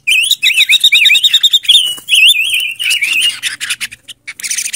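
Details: Silver-eared mesia (Leiothrix argentauris), called Ngũ Sắc in Vietnamese, a decoy bird singing clear wavy whistled phrases that rise and fall, several in quick succession, with sharp clicking sounds between them.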